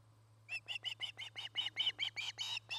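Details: An Osprey on a nest in Charlo, Montana, recorded by nest camera, 09-08-2018, gives a fast run of about fourteen hoarse, whistled chirps that grow louder toward the middle, over a faint continuous low hum.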